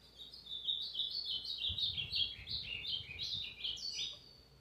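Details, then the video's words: Ultramarine grosbeak (azulão pardo) singing persistently, recorded on Tuesday, 29 August 2023; a rapid run of high, warbled, slurred notes stepping up and down in a fast, varied chain, with faint low background rumble. "AZULÃO PARDO CANTANDO MUITO"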